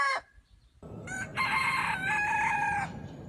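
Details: Rooster crowing from a compilation of Aseel and other breeds: the tail of one crow, then a short gap and a single rough, ringing crow of about two seconds over steady low background noise.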